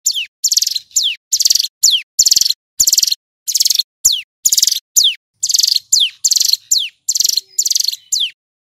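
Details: Male hill prinia song: rapid, high, buzzy notes with a falling slur at each end, repeated about three times a second in an even, loud run; no other sounds.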